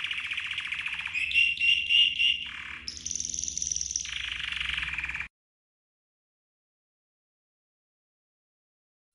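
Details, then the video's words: Red canary training song: dense rolling trill, then a higher ringing tour and another buzzy roll, ending abruptly in silence. "The Best Red CANARY Training Song"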